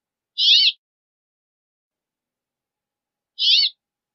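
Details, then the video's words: A Brambling gives two harsh, nasal, buzzy wheezes about three seconds apart, each under half a second, against silence. "Brambling Song! Brambling Call! Brambling Voice! - Pinzón Real Canto"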